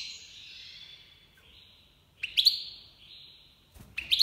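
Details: [1, 'likely', 'song', 'Iranian Goldfinch Major in breeding season 2022: thin twittering notes, slurred down-sweeps and sharp bright chirps in quick bursts, with quiet gaps between phrases.']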